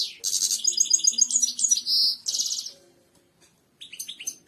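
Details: European goldfinch delivering loud song used to train other birds: a rapid chattering run of tinkling notes, a sustained buzzy note, another twittered burst, a short silence, then a few clear chirps.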